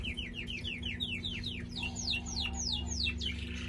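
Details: Male pet canary singing: a fast run of about fifteen clear downward-sweeping whistled notes, roughly four per second. Later notes sweep higher and steeper, ending in a brief buzzy burst, over a steady low background hum.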